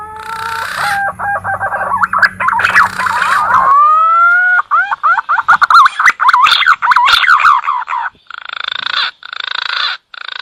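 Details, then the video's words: Green pigeon lure call used for catching birds: a run of wavering, bending whistled notes that rise and fall in quick succession, preceded and followed by stretches of rough broadband noise. "SUARA PIKAT BURUNG PUNAI"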